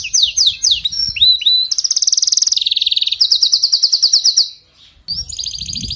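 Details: Canary singing for a weak-singing canary: descending swooping notes, then a long rapid trill that shifts pitch, a brief silence, and the song resuming.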